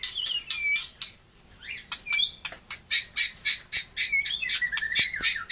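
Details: Taiwan white-rumped shama in full song, delivering quick sharp chips and rattles interspersed with short clear whistled notes and slurred downward whistles, phrases repeating at a fast, irregular pace.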